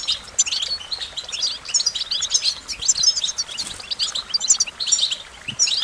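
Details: American goldfinch song: a dense, continuous run of high twittering and chattering notes with bright short whistled accents, steady throughout, with no other clear sounds.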